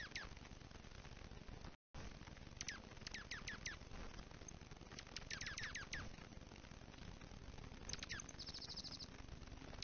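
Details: Dark-eyed juncos greeting each other and conversing while foraging at a platform feeder during the season's first big snow in Kalamazoo, Michigan, in November 2019, give quick, high, downslurred chips in clustered bursts, with a brief thin buzzy trill near the end over a rushing background.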